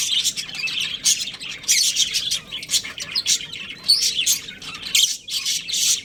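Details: Pet budgies, a breeding pair, chatter in dense, scratchy high warbles and chirps, rising and falling in loud bursts roughly every second.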